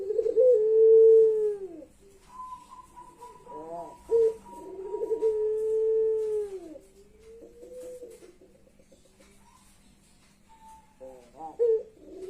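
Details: Crying-like coo of a puter pelung ringneck dove, with two long sustained hooting notes that drop away at the end, separated by short rattling stutters and a faint higher whistle.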